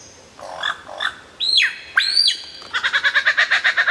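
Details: Loud, clear lyrebird song: two soft harmonic notes, then two strong descending whistled sweeps, followed by a rapid, even series of pulsed harmonic notes.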